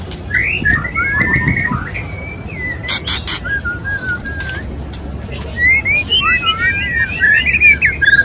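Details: Male white-rumped shama courting a female; clear whistled notes at first, a few loud clicks, then a fast jumble of warbled, slurred phrases.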